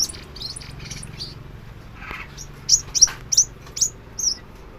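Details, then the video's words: Crimson sunbird singing and dancing, giving scattered thin high chirps, a brief lower rasp near the middle, then a run of six loud sharp piercing notes about every third of a second. "hút mật xác pháo hót múa"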